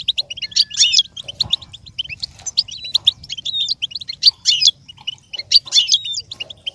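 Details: Goldfinch song played as stimulation for a kept goldfinch to learn and imitate: a rapid, tinkling stream of high twittering notes, trills and buzzy chirps, nearly continuous, with a faint low hum beneath.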